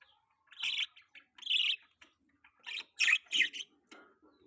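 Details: Baby budgie chirping indoors as a pet: a few sharp, high squeaky chirps in pairs and singles, spaced by short silences.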